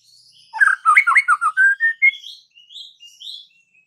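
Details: White-rumped shama singing a quick run of slurred whistles stepping downward then rising, followed by softer thin high whistles fading out.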